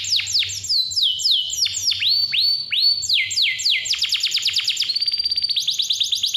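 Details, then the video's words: Canary in full, clear song intended to prompt young or lazy canaries: a string of loud swooping whistles dipping and rising in pitch, turning into a quick rapid-fire rattle, then a steady high note and another trill. "KICAU KENARI GACOR SUARA JERNIH COCOK BUAT PANCINGAN || PANCINGAN KENARI"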